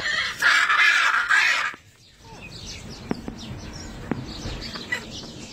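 A hyacinth macaw gives one loud, harsh, grating squawk over a second long, followed by soft clicks and faint chatter.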